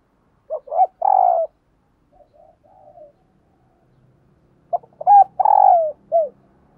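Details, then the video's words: Spotted dove kept as a decoy, cooing to lure wild doves. Two phrases, each made of short clipped notes, a long rolling coo that slides downward and a falling final note, with faint low murmurs between them. "Tiếng Chim Cu Mồi gáy Mồi Gáy Gọi/ Bổi Nghe Siêng Gáy Và Nhanh Nổi"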